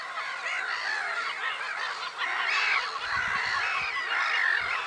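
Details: Black-headed gulls on 10 April at Lake Sarymsak in Kazakhstan's Pavlodar region: many overlapping rasping, slightly rising calls form a constant noisy chorus, with a few louder squealing notes near the end.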